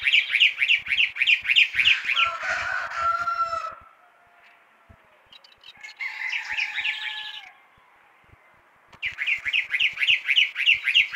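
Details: At six in the morning a chalk-browed mockingbird sings persistently, alternating fast runs of repeated sharp notes with a held whistle and a scratchy jumble, each burst followed by a short silence.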